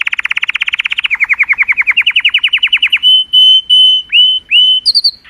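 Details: Happy colour canary singing to excite females: a fast, even rolling trill lasting three seconds, followed by clear sustained whistles, some starting with an upward swoop.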